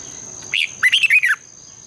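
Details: Morning red-whiskered bulbul song, a long twisting double-voiced style meant to stimulate birds: one short rising note, a brief pause, then a fast loud run of four looping whistled notes, with a thin constant high tone behind.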